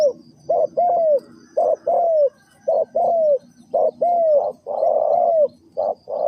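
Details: Spotted dove calling in the '3 kuk hoi' pattern, a short soft coo followed by a longer down-curving one, the pairs repeating roughly every second over faint low background hum.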